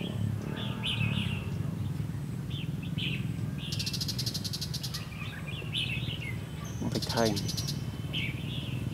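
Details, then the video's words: Red-whiskered bulbul decoys active during a trapping session dated 23 October 2016; scattered chirpy warbled phrases come between loud bursts of rapid high buzzing, over a steady low rumble. "Bẫy chào mào bộ khủng nết chơi lăng xăng tít mù"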